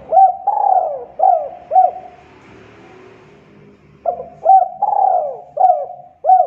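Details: Lure call of a spotted dove for bird trapping: soft hollow coos with a drawn-out falling note, given in two phrases with a low background hum between them.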